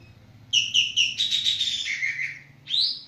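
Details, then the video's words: Javan green magpie (Cissa thalassina) calling actively, giving three clipped, ringing notes, then a rapid buzzy rattle that steps down in pitch, ending with a single rising, slurred whistle. "Burung Ekek Geling Benar-Benar Gacor"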